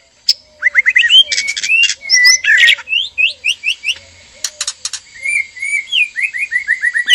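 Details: Captive male and female white-rumped shama in a breeding enclosure, stirring each other to mate: fast series of rising whistles mixed with rattling bursts, then evenly repeated slurred whistles toward the end.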